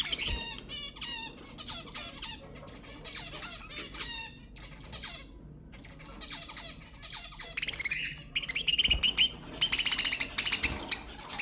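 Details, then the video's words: Budgerigars warbling to stimulate pet budgies: rhythmic series of short scratchy phrases separated by brief pauses, building near the end into a loud, fast trilled chatter of harsh pulsed notes. "اقوى تحفيز لطيور البادجي أقوى أصوات البادجي المحفزة"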